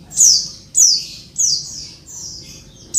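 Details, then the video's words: A female Oriental white-eye calling to coax silent males into singing; a run of four high, thin, falling squeaks about half a second apart, fading slightly toward the end. "suara pleci betina ribut bikin jantan langsung ngalas"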